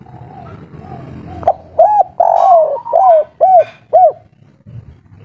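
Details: Wild local spotted dove calling loudly in the 'kuk 3' style, agitated and noisy: a long low coo followed by a run of short arched coos about every half second, over a faint background hum.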